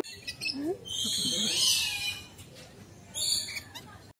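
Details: Lories at feeding time in the Lory Loft walk-in flight aviary, Jurong Bird Park, Singapore, give harsh, high screeching calls in two loud bursts with softer chatter between, while a person speaks quietly underneath.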